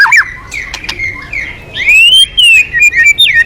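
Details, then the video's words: Energetic white-rumped shama song for stirring other birds to sing, with loud clear whistles that slide up and down, a long arching note and quick bright phrases. "Pancingan Burung murai Crpat gacor"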